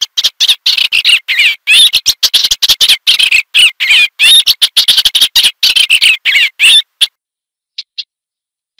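An Eastern olivaceous warbler gives a fast, scratchy, chattering song of high jumbled notes for about seven seconds, then two or three short separate calls.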